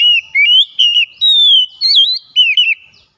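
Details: Kacer (Oriental magpie-robin) song played as a daily lure for a bird that sings little; a continuous run of clear, sliding whistled notes in short, varied phrases with barely any pause.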